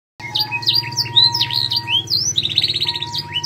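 A canary sings a lively, varied song of high whistled notes and quick slides, then a fast rolling trill, over a steady electrical hum.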